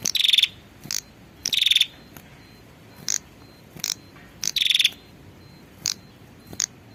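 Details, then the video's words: Female prinia calling for a male: short buzzy, grating bursts repeated irregularly, three louder ones plus several brief clicking notes, with faint background hiss. "suara pikat burung prenjak betina memanggil jantan"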